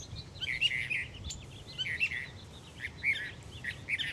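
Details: A mockingbird heard every morning, singing to attract a mate, sounds fainter here: scratchy, buzzy chattered phrases in short bursts with pauses, over light background hiss.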